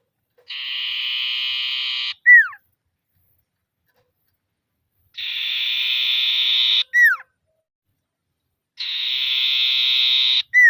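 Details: Common iora in full voice calling rivals with repeated 'ngetir' phrases, used to lure silent birds into singing: three long buzzy high trills, each ending in a quick falling whistle, spaced about three to four seconds apart.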